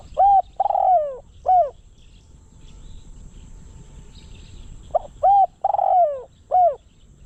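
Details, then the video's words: Decoy spotted dove used at a trap enclosure to draw in wild doves. It gives two loud cooing phrases several seconds apart, each a short coo, a long falling coo and a closing short coo, over a quiet hum. "เสียงนกเขาใหญ่ นกต่อ"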